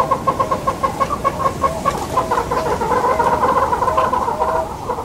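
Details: Southern yellow-billed hornbill (Tockus leucomelas) in Kruger National Park, South Africa, gives a fast series of hollow clucking notes running into continuous throaty chatter over a low engine rumble.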